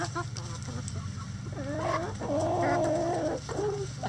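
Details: Rooster crowing in a chicken coop. One broken, multi-part crow: a short rising opening note, then a long wavering held phrase of more than a second that drops away at the end. Low background hum throughout.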